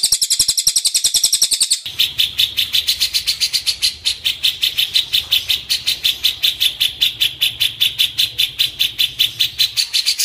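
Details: Cililin song: a fast, high chattering trill gives way to sharp, piercing notes repeated almost three times a second, steady and unbroken, with a low hum beneath.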